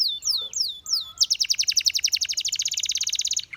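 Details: Canary song for training: three slow downward-slurred whistles, then a long fast rattling trill of clipped notes lasting over two seconds.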